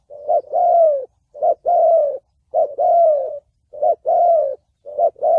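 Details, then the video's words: Spotted dove cooing in the thổ bầu style, used for trapping and training decoy birds: phrases of a short low coo followed by a longer descending coo, about five phrases at steady intervals, clean with no other sounds. "Tiếng chim cu gáy giọng thổ bầu chuẩn âm mới nhất, kích bổi,đi bẫy, tập mồi"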